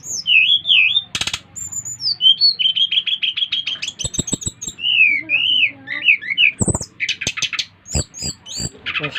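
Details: Brown-chested jungle flycatcher of Bali singing vigorously, prompting others of its kind to sing: wavering warbled whistles run into fast chirp series, broken by sharp clicks.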